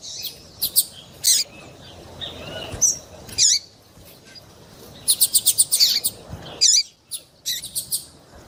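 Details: Double-collared seedeater female call, played to stir males for breeders' tournaments: scattered sharp high chirps, a quiet stretch, then a quick burst of five bright ticking notes and a few trailing tweets.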